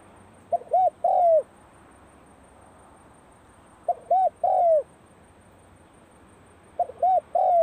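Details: Cold-season practice calling of a spotted dove. A repeated three-part phrase of two short coos and a drawn-out descending coo comes about every three seconds, three times, over soft background noise.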